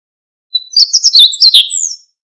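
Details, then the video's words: A brief high-pitched jingle from a Siberian bunting: a rapid run of sharp chirped notes ending in a thin fading trill, with silence before and after. "Escribano Siberiano"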